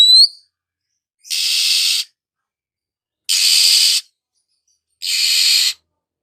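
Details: Oriental magpie-robin in the morning: after a brief rising whistle, three drawn-out harsh rasping calls follow at intervals of about two seconds.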